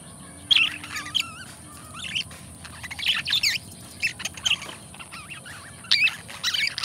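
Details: Budgerigar pair kept as pets chattering in irregular clusters of scratchy, wavering chirps and twitters, loud bursts alternating with softer warbling and brief pauses.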